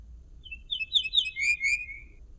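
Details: Common linnet delivering one lively phrase. Brisk twittering chirps run together, then a sustained whistle slides gently lower and fades. The background is otherwise quiet.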